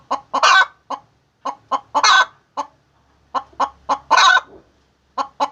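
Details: Egg-laying hen gives clipped clucks in small bursts, each run ending in a harsh drawn-out squawk, with short pauses between groups; background otherwise quiet.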